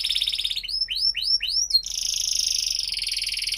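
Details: Canary song used to train juvenile canaries. A bright buzzing roll gives way to four rising looped whistles, followed by a long shimmering high trill.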